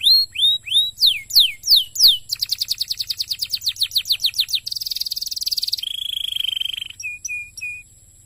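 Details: Canary song meant to stimulate other canaries: rising whistles and quick downward sweeps, a fast trill, a buzzy rolled phrase, a lower steady trill, then short clipped notes.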